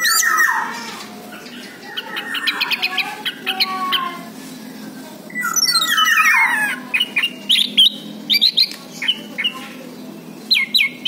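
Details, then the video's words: Orange-headed thrush song used as a lure to get reluctant birds singing: loud varied phrases mixing descending slurs, chattering runs and clear whistles, sung in uneven bursts against a faint steady background hum. "PANCINGAN ANIS MERAH MACET BUNYI"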